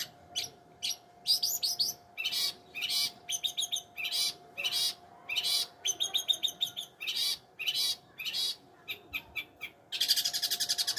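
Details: Long-tailed shrike singing: a dense, varied run of sharp chirps, trills and harsh buzzy bursts in quick phrases, ending in a loud, scratchy rasping burst, over a steady faint electrical hum.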